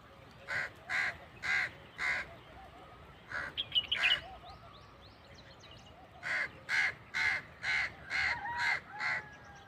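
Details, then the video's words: A crow gives harsh, hoarse caws in two runs, four then about eight, roughly three per second, with brief high whistled notes between them, possibly from a nightingale. "crow making sound"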